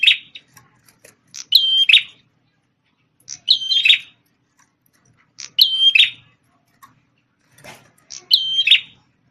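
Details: Red-headed prinia, described as a strongly singing bird formerly tutored on white-rumped shama song, giving short bright chirpy phrases with a sharp rising whistle and quick trill, repeated about every two seconds in a quiet setting.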